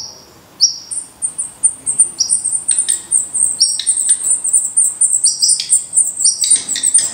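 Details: Black redstart at its nest in Portugal: sharp descending call notes, then a rapid, rising chorus of very high, thin chirps that grows denser and louder toward the end.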